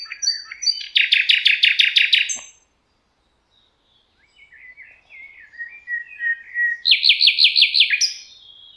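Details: Common nightingale singing in the Rawka river valley, Poland: a rapid series of about a dozen loud, repeated notes, a pause, soft varied twittering, then another fast repeated burst.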